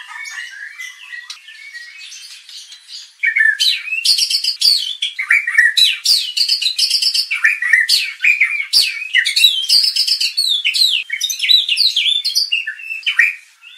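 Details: White-rumped shama, a contest bird provoked into aggression to unload its song repertoire, delivering rapid, varied whistles, chatters and sweeping notes. A quieter passage for three seconds is followed by a loud, dense burst.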